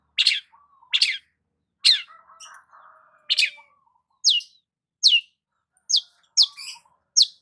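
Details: Basking in the morning sun, a long-tailed shrike gives rough scratchy notes, then shifts to a series of clear, sharp descending whistles, with faint low whistles underneath.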